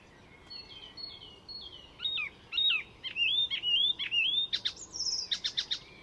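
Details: Mimicking Icterine warbler singing at Fysingen, a reserve north of Stockholm in Sweden: thin whistled notes give way to a series of looping, slurred whistles, then sharp high clicking notes repeated quickly at the end.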